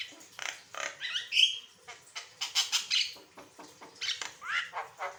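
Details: Persistently singing Javan myna, its varied song meant to tutor and prompt other birds: a sharp whistled note among rasping squawks, then a run of rhythmic scratchy chattering notes, roughly one burst every second or so.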